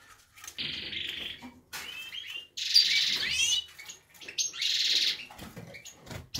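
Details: Male European goldfinch recorded in 2019, delivering buzzy, rattling phrases mixed with rapid liquid twittering and sweet slurred notes, in three dense bursts.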